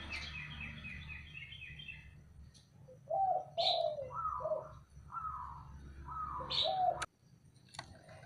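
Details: Male local zebra dove calling to provoke rivals into answering: several soft mid-pitched coo phrases with short pauses, mixed with sharp high chirps from another bird, a hissing high rattle at the start and a sudden click.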